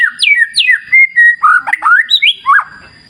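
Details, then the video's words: White-rumped shama with river nature sounds: loud, varied song of down-slurred whistles, squeaky twisting notes and bright rising phrases delivered in quick succession. "Terapi Murai Batu Ala Alam Liar Sungai Jernih"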